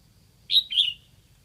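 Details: Red-whiskered bulbul decoy bird from Lạng Sơn, singing to attract wild bulbuls: one loud, quick phrase of two whistled notes, the first brief and the second fuller and falling, against near-silence.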